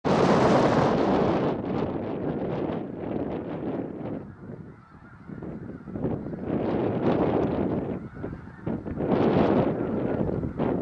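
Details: A large flock of snow geese landing in a field behind a house gives a dense, continuous din of high, barking honks that overlap rapidly, with some wind noise.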